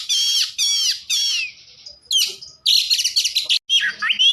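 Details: Oriental magpie-robin singing to rouse other magpie-robins: three rasping harmonic notes about half a second apart, a thin held tone, a harsh burst, then rapid high twittering and a swooping whistle.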